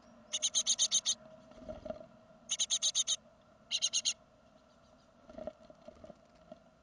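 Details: Great tit from a second brood, fledging from the nest in 2016: three bursts of harsh, raspy hissing notes, about six quick pulses each, with a soft low hum behind and a faint rustle between bursts.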